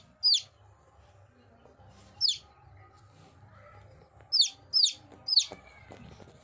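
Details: Chicken chicks calling with a few short, high, falling peeps spaced irregularly, some in quick pairs, with long gaps between and a soft low rumble and murmur in the background.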